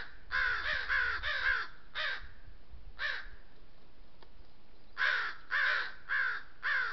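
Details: Several crows scolding a lone coyote at a water trough in the oak woodlands of the Southern Sierra Nevada: a rapid burst of grating caws, scattered single caws, a quiet gap, then a renewed series of strong, rasping calls.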